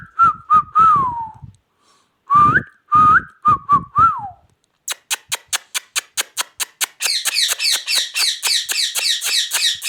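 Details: An Indian ringneck parakeet gives short whistled notes that dip and rise, broken by sharp clicks, then rapid tapping and a dense, harsh high-pitched chatter.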